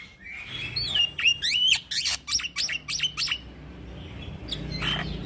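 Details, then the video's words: Young black-winged myna in chatty rolling song, used as a model for training birds: bent high whistles alternate with rapid harsh clicks for about three seconds, then the bird falls quiet over a low hum. "Suara Jalak putih Muda Gacor Ngeroll - Masteran dan pancingan Burung jalak"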